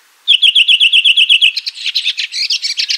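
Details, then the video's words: Red-throated thrush in nature opening with an even trill of about a dozen identical sharp chirps, then breaking into a faster, scratchy, tumbling twitter. "Red Thrush Singing.(Turdus ruficollis)."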